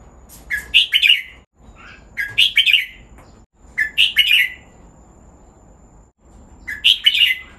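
Red-whiskered bulbul singing short, bubbly phrases of bright, liquid whistled notes, four bursts spaced about two seconds apart, with a faint low hum beneath.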